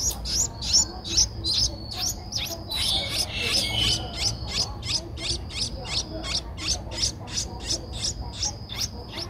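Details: An 11-day-old Streak-eared Bulbul nestling at Ubon Ratchathani, Thailand, 13 April 2023, repeats high, clipped cheeps in a fairly even rhythm of nearly three per second, briefly overlaid by a louder, scratchier burst early on.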